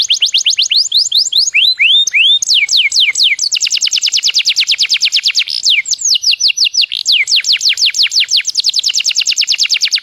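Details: Loud, continuous white-rumped shama song meant to make other caged shamas respond: dense series of fast, high descending whistles broken by a few lower, drawn-out slurred notes, with no pauses.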